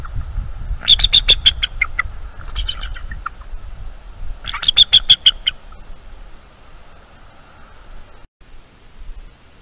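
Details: Eagles at a nest camera, awake and alert at night on 23 October 2021, calling against an intruding owl while defending their nest: two bursts of rapid, high, chattering notes falling slightly in pitch, with low rumbling background noise.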